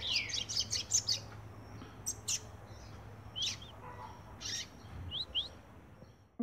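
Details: A young brown male double-collared seedeater in song training gives bright high chirps and quick rising whistled notes in short irregular bursts, with a low steady hum behind.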